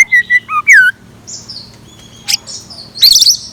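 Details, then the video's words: Decoy scarlet minivet singing at dawn: three or four loud whistled notes, the last sliding sharply downward, then a pause with soft chatter before a high, rapidly wavering trill. "Tiếng Chim Chèo Lửa Mồi Hót Sáng"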